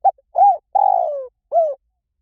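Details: Spotted dove giving one cooing phrase: a short clipped note, an arched mellow coo, a long drawn-out coo sliding downward, then a final arched coo. The background is silent.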